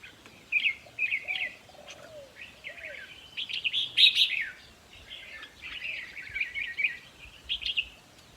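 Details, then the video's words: Song of Red-whiskered bulbuls played to caged birds to make them excited, from a decoy-trapping setting: lively runs of chirpy, rolling phrases. A few soft, low, curved whistles sound in the first half. "ต่อเพนียดนกกรงหัวจุกแก้มแดง เปิดให้นกฟัง ยั่วให้นกคึก"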